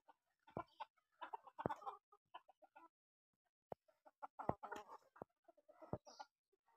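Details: Chickens raised together with native pigeons at a rural house cluck softly in two loose bouts of short, low, throaty notes, with a few sharp taps in a quiet gap between them.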